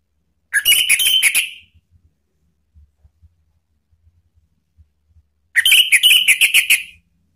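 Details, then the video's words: Lure song of a male orange-headed thrush, Indonesia, answering spontaneously in ngeplong style to prompt stalled birds to sing: two loud rich whistled phrases of fast chopped notes, about five seconds apart, with near silence between. "ANIS MERAH JANTAN SPONTAN ikut NYAUT NGEPLONG ¦ PANCINGAN AM ¦ TERAPI MACET"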